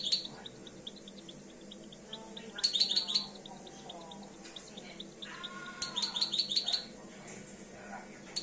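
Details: Two-year-old European goldfinch coming into breeding condition: high rapid twittering in two bursts, with soft repeated chips between them.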